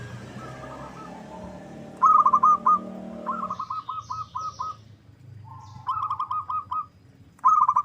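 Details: Local zebra dove, used as a lure call to make other doves sing and answer: bursts of rapid, mellow rolling coos on a steady pitch, each phrase of five to seven notes, with faint high thin chirps from other birds behind.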